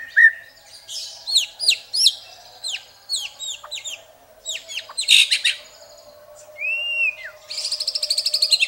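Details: White-rumped shama (murai) masteran from Indonesia, packed with varied filling: a string of separate downslurred high whistles, a burst of harsh scratchy notes, a single looping whistle, then a rapid buzzy high trill.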